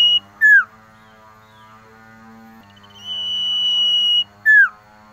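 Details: Male Common Iora (cipoh) calling for a female in winter: a sharply dropping note, then a long flat whistle and another falling note, over a steady low humming drone.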